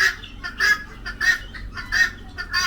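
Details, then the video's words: A female helmeted guineafowl gives its typical harsh, grating two-part calls, repeated about every two-thirds of a second, over a low background rumble. "এটা হচ্ছে মেয়ে তিতির অর্থাৎ ফিমেল তিতিররা যেভাবে ডাকে"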